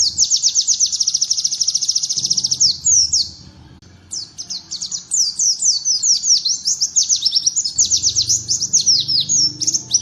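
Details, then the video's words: White-eye singing bar-winged prinia-style phrases, a model recording for training other birds: a fast, high, buzzy trill for over two seconds, a brief pause, then chains of quick, sharply downslurred chattering notes repeated almost nonstop. "MASTERAN PLECI TEMBAKAN CIBLEK"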